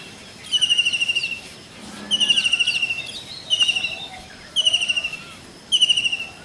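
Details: Indian blue kingfisher call: five short bursts of piercing, fast-pulsed whistles on a steady high pitch, spaced about a second apart, with faint softer bird chirps in the background.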